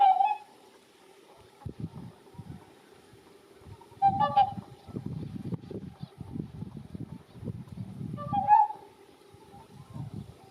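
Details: Whooper swans at Lake Izunuma, where greater white-fronted geese also call, giving loud bugling trumpet notes about every four seconds over a low rumble of wind and distant waterfowl chatter.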